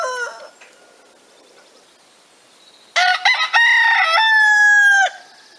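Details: Rooster living free outside, beside a small cage of laying hens in the Lot, France, crowing loudly: a short rising opening, then a long strong harmonic-rich held note of about two seconds, after a faint earlier call.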